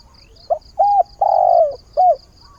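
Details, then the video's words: Decoy spotted dove kept to lure wild doves, calling for a mate at the start of the day: a short low coo, a flat hooting note, a long drawn-out descending croon, then a final short coo, over soft regular high pulsing ticks. "Tiếng chim cu mồi giọng hạp bổi, ngày mới gáy gọi tìm bạn"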